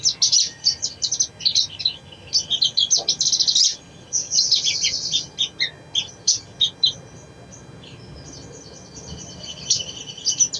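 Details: Crimson sunbird song for coaxing a silent bird into song: dense, rapid high-pitched twittering and trills for several seconds, scattered chips, then a quieter stretch and a few sharp notes at the end.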